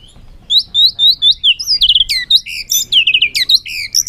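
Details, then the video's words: Contest song of a white-rumped shama in the afternoon sun, with its búng cầu display: high, sweet, rapid warbling with fluid slurred notes and trills, pouring out almost without pause. "chòe lửa căng lửa hót đấu siết nắng chiều"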